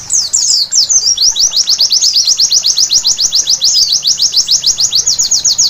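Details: White-eye singing at night: a brief tangle of varied high notes opens into a long, rapid, even series of thin chirps, about three or four per second.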